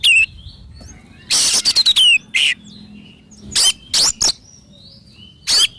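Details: Oriental magpie-robin singing scattered phrases: brief whistled notes, a rapid harsh rattling burst with a falling whistle, and several isolated loud scratchy notes spaced across the recording.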